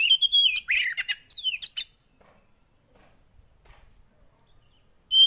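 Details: Javan white-eye delivering about two seconds of busy, high, sliding twitters and chips, then near silence, with one brief high note at the very end. Played so a quiet bird will begin singing.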